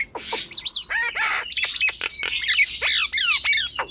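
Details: Nias hill myna in full song, a lure to make lazy, quiet birds start singing: loud varied medley of whistles, sharp descending slurs, harsh squawks and clicks in rapid succession.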